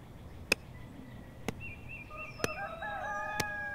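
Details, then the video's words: Rooster crowing on a rural English countryside morning: a harmonic, wavering crow in the second half, with sharp regular ticking clicks and faint thin bird whistles behind it. "Rural morning sounds of sheep, dogs, roosters and owls"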